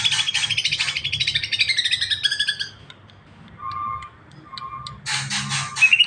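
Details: Greater green leafbird song of quick chirping notes sliding downward in a rattling run, a pause with two low steady tones, then another burst of dense high chatter ending in a thin whistle.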